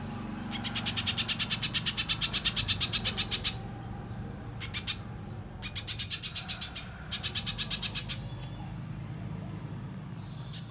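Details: Little spiderhunter, gacor song used as a lure and training for contest birds, delivered in separate bursts of rapid high chips: a long burst, a short one, then two more, with a faint low hum beneath.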